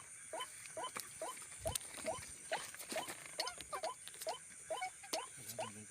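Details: White-breasted waterhen giving repeated short, upward-inflected nasal notes roughly twice a second, slightly uneven in spacing, over a noisy background with clicks and a low thump; the call reportedly lures other waterhens seeking a friend or rival.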